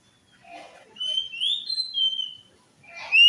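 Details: Orange-headed thrush song played as a lure to get a silent or stressed bird singing: a few thin, clear whistled notes sliding up and down, with soft scratchy sounds before and after.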